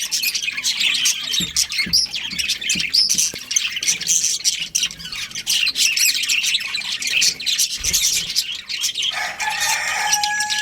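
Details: Breeding pair of budgerigars with steady scratchy warbling and squawks; a clear whistled tone enters near the end.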